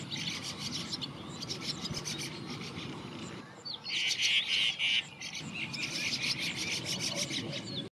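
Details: Young brown rock chat giving high, sharp chirps in short repeated bursts, with the loudest cluster about halfway through and quieter clicking notes before and after, set against a low rumbling background.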